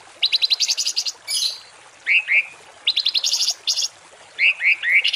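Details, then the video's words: Rough shot-like songbird song used as masteran tutoring for cage birds: rapid rasping pulse trains alternate with pairs and triplets of clear rising whistled notes, repeated in a steady cycle. "MASTERAN BURUNG TEMBAKAN KASAR || Suara Masteran kasar langganan juara"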